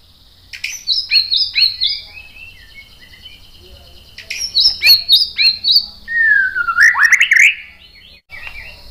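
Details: White-rumped shama song meant to provoke other birds into replying: bursts of high rapid warbling notes separated by a quiet gap, with a loud down-slurred whistle near the end.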